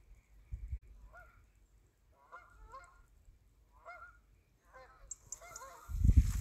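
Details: Canada geese flying by, giving nasal, harmonic honks in short bursts about once a second, fairly distant, with a loud low thump near the end.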